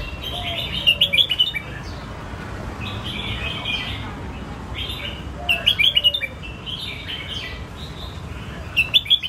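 A Red-whiskered Bulbul gives short bursts of bright, bubbly whistled phrases, a few seconds apart, over a steady background hiss.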